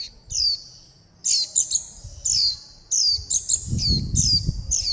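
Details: Fledgling warbling white-eyes begging for food and calling to mother and flock. Bright, piercing downslurred chirps come in clusters of two or three over a steady high whistle, with soft low thumps and rumbling noise underneath.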